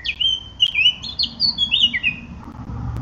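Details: Eurasian blackcap song, a loud run of mellow whistles and quick slurred notes lasting about two seconds, then fading into quiet low background noise.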